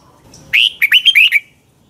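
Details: Single phrase of red-whiskered bulbul morning song for training: a loud opening whistle followed by four or five quick slurred notes dipping and rising, all within about one second.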